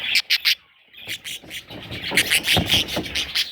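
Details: Parrot chicks chirping in quick, scratchy, high notes: three clipped calls, a short pause, then a denser run of twittering that carries through to the end.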